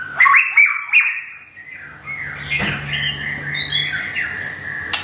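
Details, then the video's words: Thai Thung Song white-rumped shama in a cage, newly moved and regrowing feathers after moulting, giving sharp clicking notes then softer, varied whistled phrases over faint low background hum. "บินหลาดงทุ่งสง shama bird murai batu thailand"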